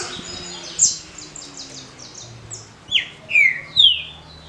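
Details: Caged green-winged saltator in the short smooth Paraná song style prepared for competition: a run of faint, high, rapid notes, then three loud, clear whistles, sliding down, then up.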